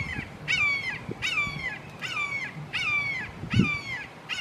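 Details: Three red-shouldered hawks in a Florida backyard call long and emphatically, loud harsh downslurred kee-ah calls, about six in under five seconds, over low rumbling background; possibly a family dispute.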